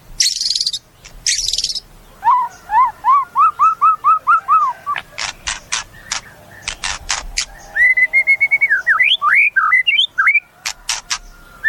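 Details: Harsh hissing bursts open this white-rumped shama song, followed by a steady run of arching whistled notes about four per second, sharp clicks, and twisting rising whistles.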